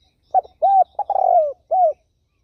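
A turtle dove gives four soft, low coos in quick succession. The third is longer, with a stuttering start, and the background is quiet.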